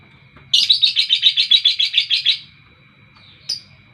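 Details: Lovebird singing in the morning: a rapid run of about fourteen sharp, high chirping notes repeated evenly over two seconds, then a pause and one short, higher chip. A steady faint tone hums underneath.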